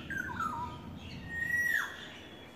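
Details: Yellowbird in courtship, a few short wavering whistles followed by one long level whistle that ends in a quick downward slide, over a low background rumble.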